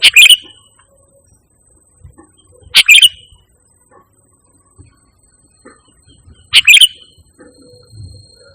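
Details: Sooty-headed bulbul, used as a pure lure sound to call and train pet birds. Three short, loud, bright chirped phrases, each a quick double note, come roughly every three seconds over near silence.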